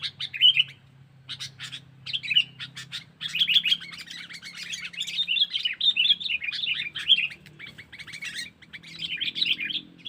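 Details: Sooty-headed bulbul giving a lure call to attract wild birds: a few separate chirps, then a long, dense flow of rapid, rattling, chattering notes, over a soft low background hum.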